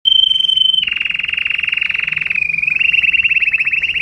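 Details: Canary singing for mating: a long, steady high whistled note opens, then gives way to fast rolling trills that dip slightly in pitch before rising again into a buzzy repeated roll.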